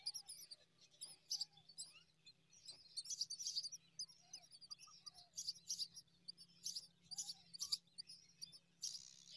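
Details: Five myna chicks being fed date fruit by a parent give harsh, noisy bursts of begging calls, clustered high and repeated in rapid irregular pulses, with brief soft chirps between and a low steady hum underneath.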